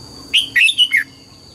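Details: Red-whiskered bulbul singing in the morning during voice training, pushed toward the double-note 'âm kép' style of a mature wild bird: a quick phrase of four bright, slurred whistled notes, the last dropping, over a faint steady high whine.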